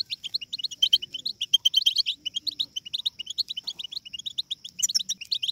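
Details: Group babbling of European goldfinch chicks, meant to excite goldfinches into song: busy, high-pitched chattering notes tumbling over one another in quick bursts, with a faint continuous whistle-like tone behind them.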